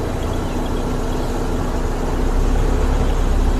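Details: A vehicle engine idles steadily, with a low rumble and a dense broadband hum throughout and no animal voices.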